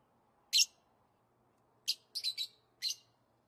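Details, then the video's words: A lovebird gives five shrill, harsh, high-pitched chirps over a quiet background: a single note, then a quick cluster of three, then one more. "Love birds sounds | love birds sounds that will make your bird sing"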